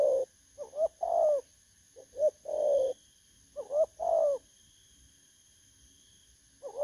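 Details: Spotted dove, wild-caught, recorded 19 August 2024. It utters repeated three-part coos: a soft pip, a short rising coo, then a longer throaty coo that falls slightly. Three full phrases are roughly one second apart, with a faint high hum behind.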